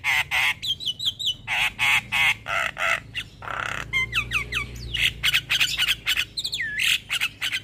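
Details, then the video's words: Javan myna, locally jalak kebo, singing a lure song for birds that have gone quiet: loud harsh squawks and grating notes interspersed with fast whistled trills and swooping, rising and falling whistles, delivered in a steady stream. "Terapi Burung Jalak Stres Macet Bunyi Rutin Putarkan Suara Pancingan Jalak Kebo"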